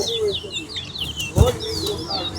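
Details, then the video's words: Towa-towa in a bragging-rights singing contest: scattered high slurred whistles and short twitters over background noise, with one loud thump midway. "TOWA TOWA BIRD SINGING COMPETITION"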